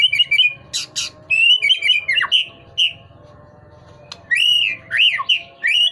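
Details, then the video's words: White-rumped shama singing persistently and pushing its tail: rippling whistled trills, piercing high notes and downslurs, then a quiet pause before loud arched whistles resume. "burung murai masih dorong ekor masih gacor"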